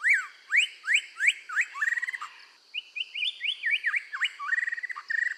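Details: Red-whiskered bulbul singing a loud training song: a series of bold rising whistled notes, a fast rattling trill, then varied chirpy whistles and another quick trill at the end.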